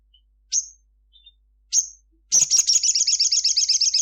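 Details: At midday a crimson sunbird sings vigorously. Two piercing high notes drop quickly and are spaced over a second apart. They are followed by a fast, sustained rattle of high chirps that runs on to the end.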